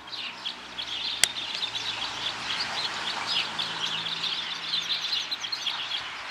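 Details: Red crossbill: a dense run of short, sharp chirping calls, many overlapping as if from several birds, chattering steadily throughout, with one sharp click early on and faint low background noise.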